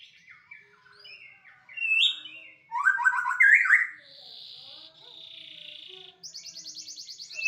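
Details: White-rumped shama performing a varied song of slurred whistles, a loud harsh chattering burst, long steady buzzy notes and a rapid high rattling trill at the end.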